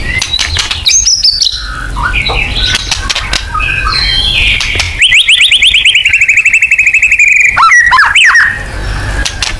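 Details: White-rumped shama singing loudly: varied whistled phrases, then a fast rattling trill of rapidly repeated notes lasting about three seconds, ending in sharp rising whistles, with clicking and rustling noise throughout.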